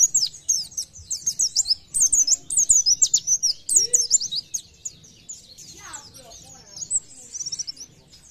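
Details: Oriental white-eye (pleci) singing rapid, high, slurred twitters in a long excited run, then a quieter stretch with a few lower notes and a final soft trill.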